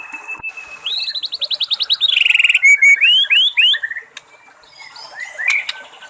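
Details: Wild white-rumped shama: a steady note opens into a fast, accelerating rattle of high rising notes, then loud, sweeping whistles repeated several times, with water trickling in the background.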